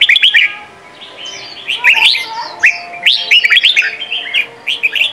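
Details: Sông Kon style song of a red-whiskered bulbul, played to train young birds: quick warbled phrases of three to five bouncing notes, repeated roughly every second, with faint higher twitters in the background.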